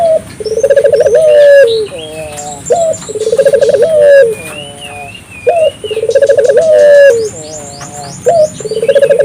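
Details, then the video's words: Calling African collared dove meant to stimulate other doves: rolling trilled coos repeated roughly every three seconds, each ending in a falling held note, with light chirps and whistles of other birds. "suara burung puter gacor,merangsang burung puter lokal ikut gacor"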